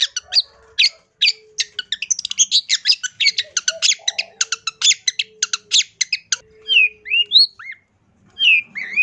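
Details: Long-tailed shrike in sustained, energetic song packed with fill-in phrases. Long rapid chatter of clicking, harsh and squeaky notes, briefly pausing, then ending in slurred whistled phrases that rise and fall.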